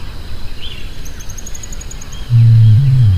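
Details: A greater rhea (Rhea americana) gives a deep, low, droning boom that rises abruptly after two seconds of quiet outdoor background, with faint high ticking beforehand.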